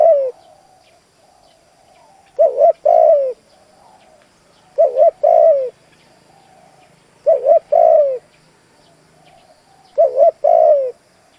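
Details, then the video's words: Spotted dove kept as a decoy to attract wild doves, cooing in a steady series: each phrase a quick doubled note and a long falling coo, repeated roughly every two and a half seconds, four phrases heard. "Tiếng chim cu gáy kích bổi bài bản đủ bài bổi nghe là nổi. Cu gáy mồi cây thúc gù"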